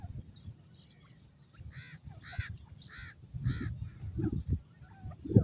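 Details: Grey francolin calling: four loud harsh, evenly spaced notes about half a second apart, over low rumbling background noise and scattered knocks.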